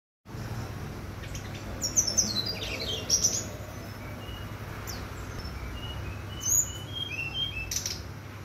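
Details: Brown-chested jungle flycatcher singing on a bright, clear morning: high, thin whistled notes and quick downward-sweeping phrases in bursts around two, three and six seconds, over steady low rumbling background noise.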